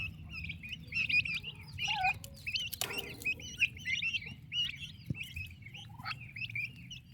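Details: Active baby turkeys cared for by their mother give a busy stream of shrill chirps, some swooping downward. A short broadband clatter occurs near the middle, over a constant low background hum.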